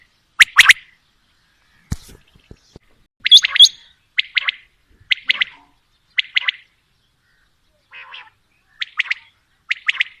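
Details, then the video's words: Quail calling: brisk clipped double and triple notes spaced about a second apart, with a few faint clicks between them. "Female Batair Calling | Male Batair Sounds | Mix Calling| Batair Ki Awaz | Batair Ki lambi Awazay"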